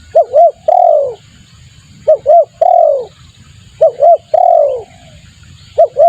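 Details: Spotted dove lure call used to attract birds: low cooing phrases of two short clipped coos followed by a long descending drawn-out coo, repeated about every two seconds, with faint low background rumble.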